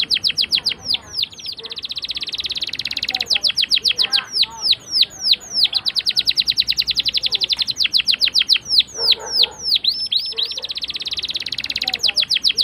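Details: Canary song serving as a lure for young canaries learning to sing; alternating long rolling trills and series of steep falling whistles, repeated in rapid, varied phrases, with faint lower chatter in the background.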